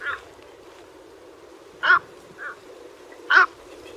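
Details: A white egret gives harsh, hoarse squawks, three loud ones about a second and a half apart with a softer one between, over a low steady rumble, in a recording offered as a lure call.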